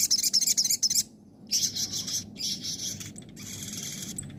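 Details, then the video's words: Crested jay in 'nembak' and 'ngobra' song styles, a training recording for other birds: quick pulsing high rattles opening the phrase, a brief silence, then sustained buzzy, scratchy trills over a faint hum. "masteran suara sogon nembak & ngobra"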